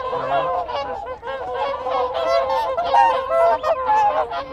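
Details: Whooper swans calling in contact within their group, a busy stream of quick, overlapping honks at steady strength, with Wigeon and Canada geese calling in the background.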